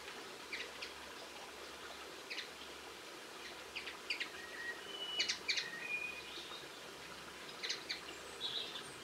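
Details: Linnet recorded in Cornwall on 22 March 2016: scattered bursts of quick, dry twittering notes mixed with a few short, thin, level whistles, spread unevenly over the recording against a steady soft background hiss.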